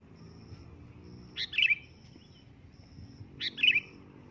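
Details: Sooty-headed bulbul giving a loud calling phrase, said to draw an answer: two short bright chirpy phrases about two seconds apart, each a sharp upward note followed by a warbled twist, over a faint low hum.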